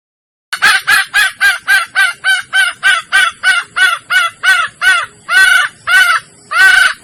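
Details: Female Sumatran red junglefowl in heat, a call used as a hunting lure to attract males: a steady series of about fourteen short, nasal, harmonic clucks in six seconds, the last few notes longer and more drawn out.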